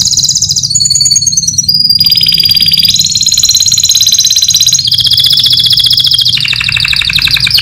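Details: Canary singing a competition-winning song used as a model for training other birds. The song is loud and continuous, made of high, rapid rolling trills that switch pitch every second or so, with a faint low hum beneath.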